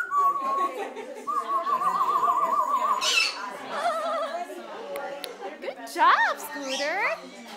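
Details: Pet African grey parrot singing as it dances indoors: a long wavering whistled trill, then speech-like babble, ending in quick rising whistled sweeps.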